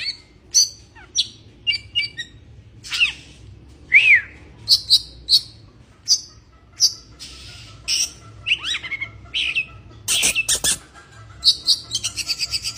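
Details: Oriental magpie-robin in breeding condition singing a long, varied song of sharp chirps, slurred downward whistles and buzzy notes, ending in a fast rattling trill.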